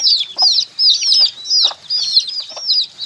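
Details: Chicks cheep in loud, piercing bursts of rapid down-slurred peeps, each burst roughly a second apart with brief quieter gaps, several birds calling at once.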